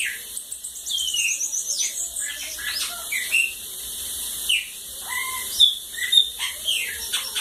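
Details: Bananaquit in the cachorro loco da lagoa d'água song style, giving fast, very high, thin trilled runs mixed with whistled downslurs and chirps, bursts coming irregularly over a constant high hiss.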